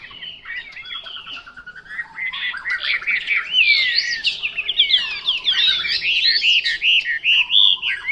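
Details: Chinese hwamei, a Vietnamese "họa mi mộc", opens with soft rapid ticking notes. It builds into a rich, varied run of loud whistles, sweeping slurs and fast trills that grows fuller and louder toward the end.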